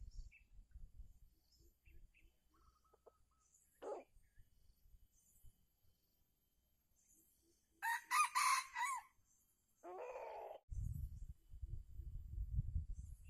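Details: Red junglefowl crowing at Calang, Aceh Jaya, on 12 February 2020. A wild bird is being lured by a captive decoy during trapping. A short, broken crow of several harsh harmonic bursts comes mid-clip, followed by rustling and handling noise.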